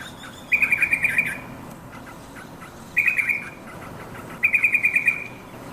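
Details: Yellow-vented bulbul calling its companions; bubbly, warbled phrases of rapid pulsed notes, each burst about a second long, repeated three times about every two seconds over a noisy background.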